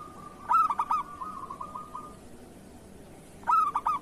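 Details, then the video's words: Local zebra dove singing, meant to tutor and encourage other doves: a bright clipped whistled opening, then a long level purring trill, and the next phrase beginning three seconds later. "Suara perkutut lokal masteran perkutut kerot"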